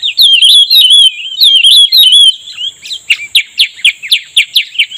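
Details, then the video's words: Cucak rumbai tungging singing its 'deadly seduction' while a trapper lures it. A loud, continuous bubbling warble lasts two seconds, then about a dozen sharp rising chip notes, roughly four per second, over a faint high whine. "pikat burung cucak rumbai tungging udah mengeluarkan rayuan mautnya"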